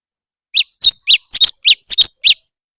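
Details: Competitive singing by a leafbird: a string of nine crisp, high chirps, some paired into quick double notes, spaced evenly and steadily after a brief silent start.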